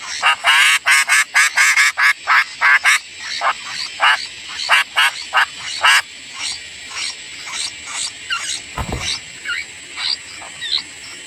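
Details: Sooty-headed bulbul young being fed by a parent; a rapid, loud run of harsh, rasping notes, about one and a half per second, fading to softer, sparser calls, with a low thump near the end.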